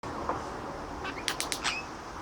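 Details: A visiting male Australian king parrot shows off, dancing and chatting while pecking at gum nuts; a quick burst of four sharp dry clicks comes midway, followed by a short thin whistle, over a steady low background hiss.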